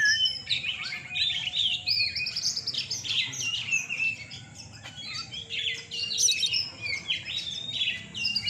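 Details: Several Oriental magpie-robins compete in song at a nighttime contest in Surabaya, Indonesia. Continuous rich whistled phrases, quick trills and harsh chattering notes overlap without pause throughout.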